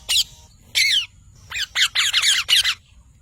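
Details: Harsh, scratchy parrot calls: two separate squawks, then a tighter run of five or six rasping, slightly downslurred notes, with faint low rumble behind.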